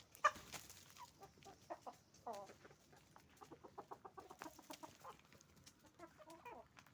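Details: Roosters and hens on a chicken farm making noise: a busy run of short, clipped clucks and cackles repeated in quick uneven bursts, several birds overlapping, with a quiet background.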